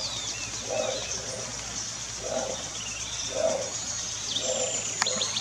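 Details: Bare-throated tiger heron (Tigrisoma mexicanum) giving four short, low, hoarse grunts about a second apart, over high chirps from other birds and a steady insect hiss.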